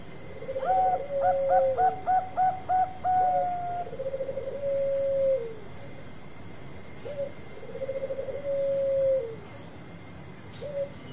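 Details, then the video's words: Zebra dove of the Bangkok type, singing often to lure others and answer fast, gives a quick series of about seven bright, bouncing staccato notes, then rolling pulsed coos stretching into long falling tones, repeated, over a soft steady hum. "Perkutut Bangkok Gacor Suara Untuk Pikat Cepat Nyaut Bunyi"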